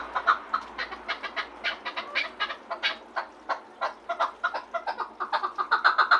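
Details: Chukar partridge from Garm, Tajikistan, giving rapid, uneven runs of sharp clucking chuck notes, about four per second, with a breathy, throaty edge and louder bursts toward the end.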